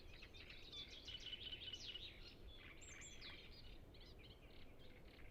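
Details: Several great reed warblers singing on the Lake Peipus shore in Ema-Joe Suursoo Natural Reserve, captured with a Zoom F6 and Sennheiser MKH 8040: rapid harsh chattering bursts and short repeated notes, uneven rhythm, constant low background rumble.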